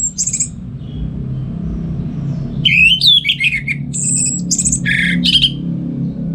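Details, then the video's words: Caged orange-headed thrush singing in the morning, kept in northern Bali, used as a tutor for other songbirds: varied whistled phrases, some high thin notes, a sweeping rising-falling run, then quick repeated chirps over low room hum. "Pagi Hari Hari ANIS MERAH Ngeplong Gacor Untuk Pancingan & Masteran Burung Dirumah"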